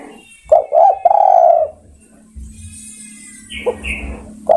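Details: Spotted dove calling companions: one phrase of two short coos and a long sustained coo. Later come two brief high chirps from another bird and the start of a new coo, over a low steady hum.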